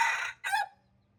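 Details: Red junglefowl crow ending in two loud raspy bursts, the second sliding down into a lower, fading tone before near silence with faint background hum.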